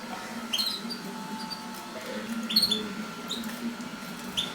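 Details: Mosaic canaries during mating utter sharp rising chirps, several in a row at uneven intervals, bright and high, over low hum and a faint steady tone.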